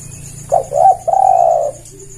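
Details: Javan turtle dove coo used as a catching lure, two brief notes then a sustained mellow coo lasting about half a second, low background hum and thin high whine throughout.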